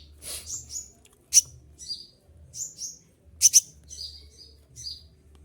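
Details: A moulting olive-backed sunbird sings shrill piercing notes: brief chirps and downslurred whistles, a pair of loud sharp calls near the end, quiet low hum underneath.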